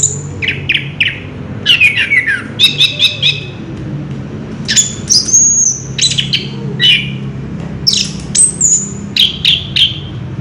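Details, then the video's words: Orange-headed thrush in ngerol style: separated phrases of clear whistles, falling slurs and rapid trills, each lasting under a second and spaced by short gaps, over a low steady hum. "Burung Anis kembang ngerol edan luar biasa"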